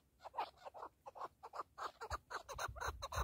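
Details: Keklik partridge uttering throaty, rasping chuck notes in a quick uneven string, each note short and slightly buzzy, with a faint low thumping underneath.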